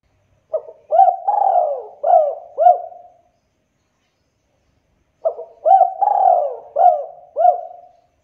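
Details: Spotted dove calling, played to stimulate other birds to call quickly: two matching phrases about five seconds apart. Each has a short note, then several husky rising-and-falling coos and a longer drawn-out coo, in clean quiet surroundings.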